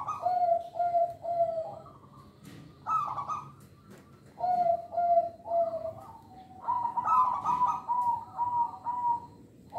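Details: Local zebra dove song meant to lure and train young birds and to coax quiet birds to sing: repeated phrases of mellow, hollow coos alternating with brighter, slightly higher rolling notes, steady for about ten seconds.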